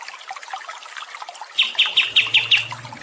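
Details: Bird sounds over trickling water, played as therapy and song training for stressed songbirds: after a water-only opening, six sharp high chirps repeat about every third of a second.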